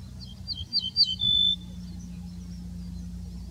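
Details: Ortolan bunting singing a short phrase: a few high, sweet notes followed by one longer, lower drawn-out whistle, over a steady low hum.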